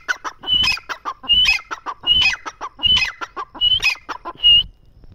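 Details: Partridge giving loud rhythmic calling phrases, each built from a high whistled note mixed with harsh clucking syllables, repeated about every 0.8 seconds in a steady, insistent sequence.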